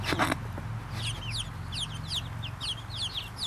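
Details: Small group of contented Brahma chickens peeping: quick high chirps, some sliding downward, packed in a busy chorus over a low steady hum, with a brief loud rustle at the start.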